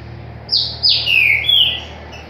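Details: Green-winged saltator of the Paraguayan type singing one short phrase of loud, clear whistled notes. Each note slides steeply downward, and the last is drawn out and wavering, over a faint steady low hum.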